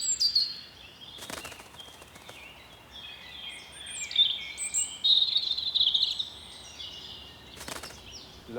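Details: A territorial European robin singing to defend its territory: thin, high, tinkling phrases wandering up and down in pitch, broken by short pauses, with two sharp crackling noises cutting in.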